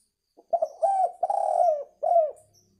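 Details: Spotted dove call used to lure birds: a short double note, then a run of low, mellow coos ending in a drawn-out falling coo and a final separate coo, all clean with no other sounds.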